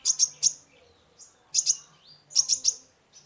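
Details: Lively full song of a sunbird (kolibri ninja), used as a lure for a stressed cage bird: clusters of two or three very high, piercing chirps with short thin whistled slurs between, repeated roughly every second.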